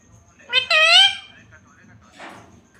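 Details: Talking parrot saying "mummy": a brief clipped syllable followed straight away by a longer, loud, harmonic, slightly dipping voiced note, then a soft breathy sound.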